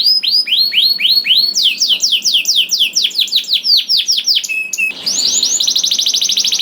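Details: Canary song used as a prompt to get other canaries singing: loud rolling trills of repeated slurred notes, switching between tours, including falling sweeps and a fast buzzy trill near the end.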